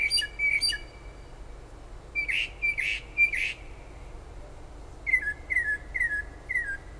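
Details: Bird singing at all hours of late night and early morning in Toms River, New Jersey, near the shore; varied phrases, two paired whistles, three buzzy notes, then four rapid downslurred whistles, over low noise.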